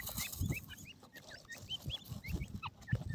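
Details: Francolin chicks, named as golden francolin and grey francolin: short, thin up-slurred peeps repeated in a loose, rapid series, over steady low rumbling background noise.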